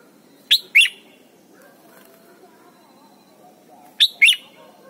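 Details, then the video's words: Red-whiskered bulbul in Thailand, sound meant for training young birds to sing: a quick pair of clear, sharp chirping notes, a pause of about three seconds with soft background hum, then the same paired chirps again. "นกปรอดหัวจุก Thailand Bird: เสียงดีมาก (สอนลูกไก่) เต็ม - ฝึกร้องเพลง"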